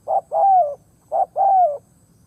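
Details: Decoy spotted dove cooing to lure wild doves: two quick phrases about a second apart, each a brief clipped note then a drawn-out, gently descending coo. No other sounds besides faint low background hum.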